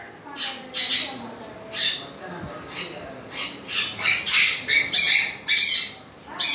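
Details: An African grey parrot lets out a fast, uneven run of rasping squawks, growing louder and denser toward the end.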